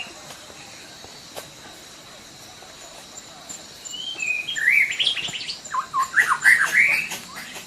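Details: Sumatran white-rumped shama singing energetically: after about four seconds of quiet with a steady high hum, bursts of bright whistles, rising slurs and rapid twittering notes follow in quick succession.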